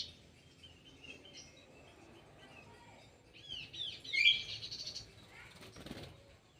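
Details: Kidangan kaso kaso bird kept in an aviary, giving soft high chirps early on, then a louder burst of quick sweeping, twittering notes in the middle before fading to quiet chirps; faint low background rumble throughout.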